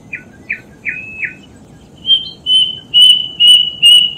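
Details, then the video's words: Plaintive cuckoo song opening with four short, falling whistles, then switching to five longer, higher, level whistled notes delivered in a steady, regular rhythm; background otherwise quiet. "Burung Kedasih bakal buka paruh dan gacor"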